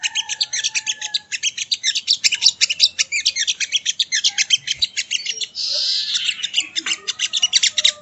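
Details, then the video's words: Sogo ontong (sogon) training song: dense, fast pulsed chattering notes repeated several times a second, with a brief hissy burst partway through and a few faint lower whistles. "Masteran Burung Sogon ( Sogo Ontong )"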